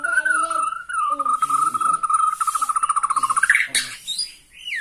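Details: White-rumped shama of the Borneo form, singing excitedly at the sight of a rival: a long steady whistled note breaking into a fast pulsing trill, rising at the end, then short sharp notes and a descending slur.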